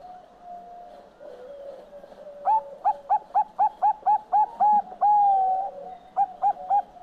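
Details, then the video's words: Bangkok-type zebra dove (perkutut Bangkok) singing (manggung): a fast run of short, clipped hooting coos, then one long drawn coo and a few more quick coos. Softer steady cooing from other doves runs underneath. "SUARA PERKUTUT BANGKOK MANGGUNG"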